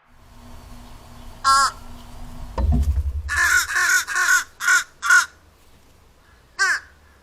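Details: Fish crows, an unruly flock at backyard feeders, giving short, nasal, clipped calls, about six in an uneven series, with a dull thump partway through.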